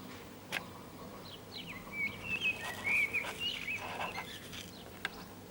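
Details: On 18 April 2019 in urban San Martín, Zamudio, Bizkaia, a blackbird sings from an antenna: a single warbled fluting phrase of looping whistles after a sharp click, ending in thin twitters, with occasional knocks around it.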